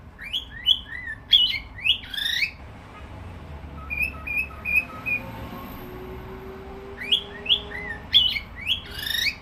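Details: Cockatiel whistling: a burst of upward-sweeping slurred whistles, then a softer run of five short, even whistled notes and a pause, before the rising whistled phrase returns near the end.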